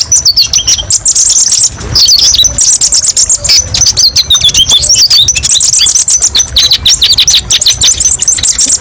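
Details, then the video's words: Rapid, high-pitched chattering of a kolibri ninja sunbird in a masteran training recording with many varied shots; trills, sharp ticks and quick slurred notes run continuously, low hum behind. "TERAPI BURUNG KOLIBRI NINJA: BANYAK VARIASI TEMBAKAN PEDES & MASTERAN KONIN"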